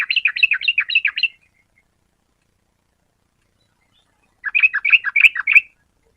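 Yellow-vented bulbul giving two bursts of rapid, bubbly, chattering notes, each about a second long, separated by a few seconds of silence.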